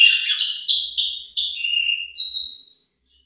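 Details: Asian pied starling with rich varied song, played as a lure for silent starlings. A rapid rattling run of buzzy, stuttered notes holds a steady pitch, then jumps higher and fades out.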